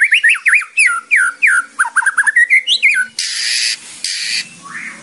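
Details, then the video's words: White-rumped shama (murai batu) song used as training audio, with 'kretekan' and 'tembakan' phrases: quick slurred whistled notes rising and falling, then two long harsh, hissing bursts and a short rising whistle. "BAHAYA KRETEKAN SAMA TEMBAKANNYA BIKIN LAWAN IKUT NYAUT | MURAI BATU / WHITE RUMPED SHAMA SONG"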